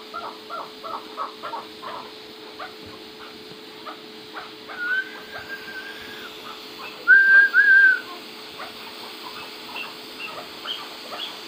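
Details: Chukar partridge, First Cross Maskati, opens with a burst of rapid doubled clucks, then a person whistles several times while the bird keeps calling softly; Turkish speech follows over a constant hum.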